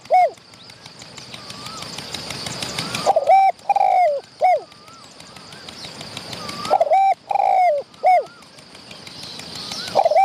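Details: Wild spotted dove answering a decoy bird at close range. Phrases of three loud coos, one long and wavering, return every few seconds. Quieter whistled coos and a high hiss fill the gaps.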